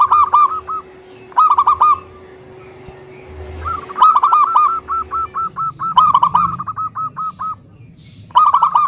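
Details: Local zebra dove with a big voice, meant to prompt other doves to sing: clusters of rapid clipped coos separated by quiet gaps, including a long even run in the middle, with low background rumble.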